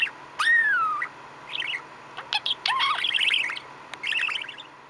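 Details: Pet budgerigar, male, contentedly chattering: a long whistled note sliding down, then soft warbling twitters, clicks and squeaky chirps.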